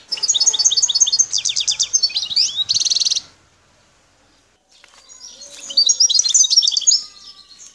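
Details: Algerian wild goldfinch near Bouteldja, El Tarf, pours out a fast chattering phrase of crisp twitters ending in a buzzy trill. Quieter twittering follows after a pause of about a second and a half.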